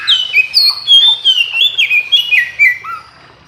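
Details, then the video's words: In the morning an Oriental magpie-robin sings back to other magpie-robins: a fast, lively string of loud whistled notes and downslurs, tumbling in pitch, ending with a lower note. "Kicau KACER Pagi Hari KACER Lain Denger Langsung Ikut GACOR Nyaut Koar Koar"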